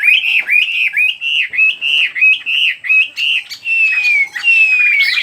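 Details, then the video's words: Singing bird delivering a string of short repeated warbled notes about twice a second, ending in a long clear whistle that slides slowly downward, repeated once; a faint low hum runs throughout. "Chỉ có nghe chim hót là tâm hồn thanh thản nhất."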